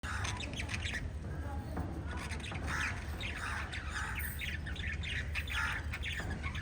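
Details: Five pet budgerigars (lovebird/budgie family) chatter in a busy stream of scratchy chirps and squawks, several birds overlapping, over a steady low hum.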